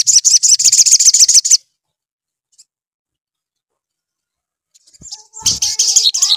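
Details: Little spiderhunter (sogon) in full song as a lure to prompt a sogon to respond: a burst of rapid, sharp, high chirps. Silence follows, then a renewed chirping burst mixed with lower warbling notes.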